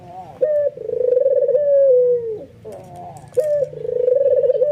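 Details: Two purring coos from an excited, head-nodding albino white ringneck dove that provokes others to join; each begins with a crisp note, rolls with rapid pulses, then tails off lower.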